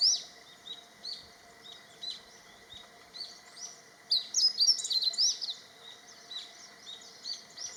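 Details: A male meadow bunting sings territorial and courtship song. It begins with scattered high chirps, then a dense, bright twittering phrase from about the midpoint, over constant low background noise.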